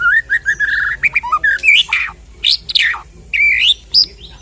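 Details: White-rumped shama fighter song used to provoke another shama into singing: steady run of mid-pitched whistled notes, then loud sweeping slurs and buzzy rising phrases, delivered in quick bursts.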